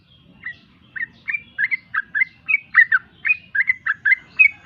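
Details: Sooty-headed bulbul in konslet-style song, a chatty stream of clear whistled notes, some rising and some dropping, delivered in quick bursts over a faint low rumble of background noise.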